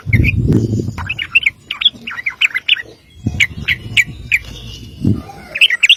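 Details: Sooty-headed bulbul song in the long 'ropel' style, used as a master recording for training birds: jumbled bursts of sharp chirps and squeaky notes, broken by low thuds and handling noise.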